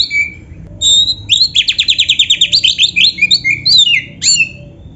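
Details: Oriental magpie-robin, called kacer, in busy 'gacor' song with canary-style fill-ins: high whistles lead into a fast trill of roughly twenty repeated notes, followed by descending slurred phrases and sharp chips.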